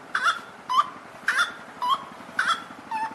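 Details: Grey-cowled wood rail answering playback in the botanical garden of Unesp's biosciences institute at Botucatu, Brazil: loud rhythmic notes alternating between a higher, fluttering note and a lower, rising one, about two per second, repeated steadily.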